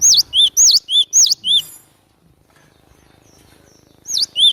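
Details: Vigorous cinereous tit (gelatik batu) song used to lure birds into traps: five ringing whistled notes alternating high and low, a quiet pause, then two more.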